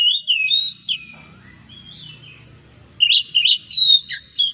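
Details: Oriental magpie-robin singing, a recording used to stimulate other magpie-robins to sing: sliding whistles and sharp upswept notes, a quiet gap with soft low rumble, then a fast cluster of bright twisting whistles.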